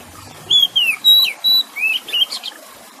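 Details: Kacer singing beside splashing water: clean whistled notes, downslurs and level tones, then a rising slur and a short twittered ending, about five notes in under two seconds.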